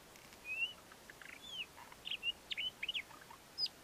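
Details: Courtship song of a male ant-eating chat: thin whistled slurs and quick chirps in loose series, a few rising and falling notes, short clicks between, ending with a high brief note; faint background hiss.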